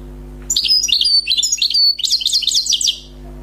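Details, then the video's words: Wild European goldfinch, freshly trapped, delivering a fast, fault-free tinkling song of high liquid twitters and buzzy trills, run together for about two and a half seconds over a constant low mains hum. "غناء حسون بري صيد جديد"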